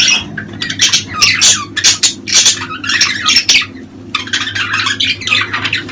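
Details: A flock of budgerigars in mating season, whose calls are said to stimulate breeding: nonstop fast chattering of scratchy squawks and warbles in quick pulses, with a constant low room hum.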